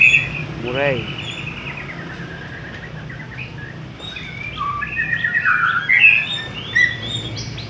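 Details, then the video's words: White-rumped shama from Indonesia giving a melodious song: a fast descending trill, then long, clear whistles and varied sliding phrases, with a low background hum. "muray suara merdu"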